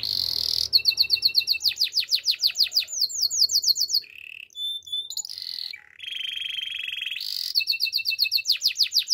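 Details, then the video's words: A Belgian canary sings for training, fast, high rolling trills of repeated chirps, switching between sharp rapid phrases and a steadier buzzy tone. "Belgian canary singing"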